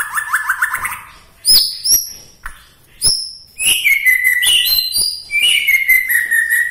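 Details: White-rumped shama from Bahorok, Medan, singing in a way said to stir other shamas: rapid descending trills, sharp high chirps with clicks, then a loud, varied stream of whistled phrases.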